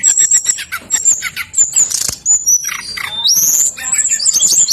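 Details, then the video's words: Brown-chested jungle flycatcher singing non-stop, meant to prompt reluctant birds of its kind to join in; rapid repeated high notes, thin sustained whistles and a sharp rising whistle, with a brief burst of flapping. "BURUNG SIKATAN RIMBA DADA COKLAT NGOTOT POOL.... SRDC LAEN PASTI LANGSUNG EMOSI"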